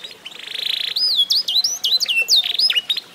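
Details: Mastered F1SF canary, eight months old, begins with a buzzy rattling trill lasting almost a second, then gives a run of clear looping whistles that swoop down and up, about three to four per second.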